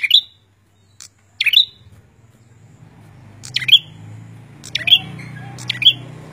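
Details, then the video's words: A prinia in full song gives sharp, high, clipped chirps, about five over six seconds at an uneven pace, over a faint low background hum. "suara burung prenjak gacor"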